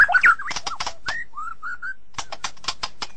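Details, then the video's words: White-rumped shama giving a few quick twisting notes, then spaced, soft, slurred whistles, followed by a stretch of dry clicking sounds. "เสียงนกบินหลาดง (นกกางเขนดง) White-Rumped Shama Sound"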